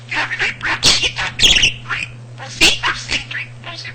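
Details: Male house budgerigar known for talking and mimicking a cat's purring, with almost 300 words and sentences; bright, scratchy chirps and garbled speech-like syllables with a couple of harsh squawky notes, low hum beneath.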